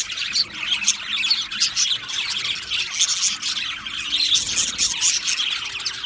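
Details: Budgerigars chirp and chatter: busy high warbling with scratchy squawks and occasional clear whistled notes rising above the flock's constant twitter.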